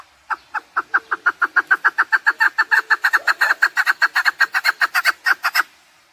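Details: Chukar partridge calling, used as a hunting lure: a fast, steady run of harsh chuk notes, about five a second, starting softly and growing louder for over five seconds before stopping.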